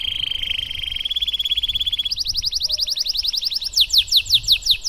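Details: Singing canary in the 'cengkok mewah' style, meant to tutor other canaries: a sustained whistle-like trill, then a faster higher rattle, ending in loud sweeping downslurred notes over some background hiss.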